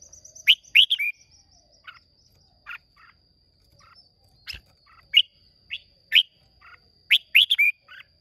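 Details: Red-whiskered bulbul originating from Hòa Bình, Vietnam, in competitive singing on 30 May 2023; sharp rising whistled notes and quick chirps come in scattered bursts, some doubled, over a constant faint high-pitched whine.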